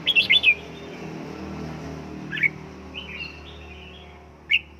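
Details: Home-trained caged red-whiskered bulbul being prepared for 'căng lửa' fiery singing. A burst of rapid clear whistled notes opens, followed by scattered single whistles and a short warbled phrase, with a constant low hum behind.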